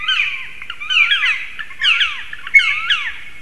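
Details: Three black woodpeckers near a stork nest in Latvia on a March morning, shouting loudly in a possible territorial dispute: overlapping harsh, squawking, slurred calls in clusters about once a second.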